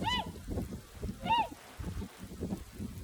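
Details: Swans heard in early spring in a flooded rice field next to their feeding area under a warm southerly wind, their calls changed from normal. Two ringing, arched honks come about a second apart against a rough, low wind-blown background.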